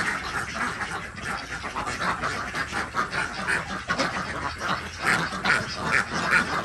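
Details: A flock of Desi domestic ducks on a village duck farm in Andhra Pradesh, during morning egg collection, keeps up a busy chorus of harsh, nasal quacks, overlapping and coming a couple of times a second.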